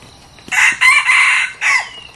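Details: Red junglefowl, a newly acquired decoy bird (kai to) being tried out for luring wild junglefowl, gives a loud, harsh crow of several joined syllables lasting about a second and a half, ending in a short clipped final note over quiet background.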